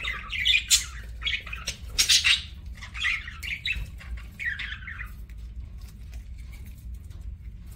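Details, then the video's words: Pet parakeet (budgie) eating and chirping, with a run of buzzy, warbling chirps over the first five seconds, then quieter, sparse sounds over a low background hum. "PARAKEET EATING SOUNDS"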